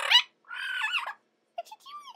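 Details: A pet male red-lored amazon gives a harsh, rasping squawk, then a warbling, speech-like talking babble that rises and falls, and ends with a few short whistled notes.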